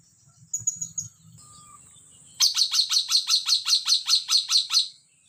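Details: Sumatran hill myna, preceded by a few soft whistles, then breaking into a rapid run of about thirteen sharp, ringing notes repeated steadily every third of a second.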